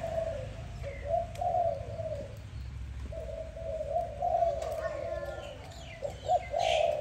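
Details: Dove cooing in the morning, a long mellow coo broken by a short pause, then resuming, with scattered thin chirps from other birds and faint background noise.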